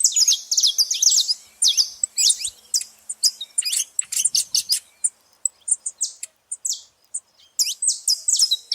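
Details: Noisy saffron finches gathered at a seed feeding spot give bright, high, clipped chirps that overlap thickly, then thin out into scattered single tweets before another busy burst.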